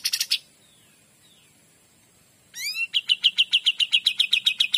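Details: Kapas tembak song. A brief chip burst and a long pause are followed by a few quick upward-sweeping whistles, then a steady, rapid series of bright ringing notes.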